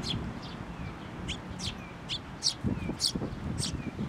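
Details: Sparrow parent turning suddenly violent after coming for food, Tenmangu shrine, 16 May 2024: sharp chirps alternating with soft, thin whistled slurs, plus low rustling toward the end.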